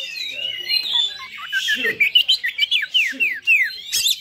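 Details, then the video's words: Oriental magpie-robin fighter song to provoke other birds of its kind: warbled whistles, then a run of quick downward-slurred notes repeated about every quarter second, closing with a shrill burst. "KACER FIGHTER TINGGI BAGUS UNTUK MEMICU EMOSI KACER ANDA !"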